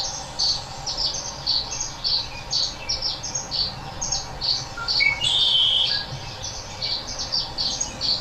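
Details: Red-winged Blackbird (Agelaius phoeniceus) call: short, sharp high chips about twice a second, with one brief buzzy whistle partway through.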